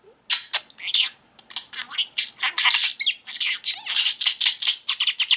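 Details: Pet budgerigar, a five-year-old male, keeps up fast buzzy chatter indoors, stuttering high syllables in a steady stream of short bursts with tiny gaps between them.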